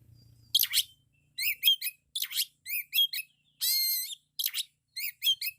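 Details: Oriental magpie-robin (kacer) giving a loud song full of 'isian' fill-ins: short groups of sharp chirps roughly every half-second, one longer buzzy note ending in a rising whistle, over near silence.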